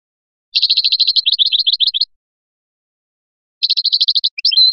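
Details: European goldfinch from Biskra singing in the flyachi style: a fast, dense buzzy trill of about one and a half seconds, a silent gap, then another rapid trill breaking into looser twittering notes and a short whistle.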